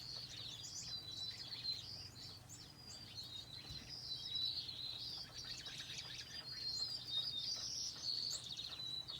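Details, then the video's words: Songbird finches, several twittering and chirping continuously in high, thin notes, overlapping in a busy chorus, with a low hum in the background. "Songbird Finches singing"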